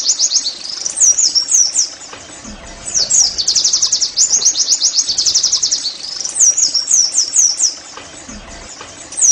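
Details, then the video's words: Oriental white-eye singing, used to coax caged birds into song: bursts of fast, very high twittering trills in repeated phrases, with short gaps between them and a quiet low hum underneath. "TERAPI NEMBAK PLECI I, Agar Pleci anda cepat GACOR"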